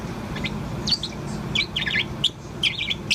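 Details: Pet Bourke's parrot about four months old, chirping continuously: clustered high twittering notes with slurred, warbling downward glides in quick uneven bursts, with a low steady hum underneath.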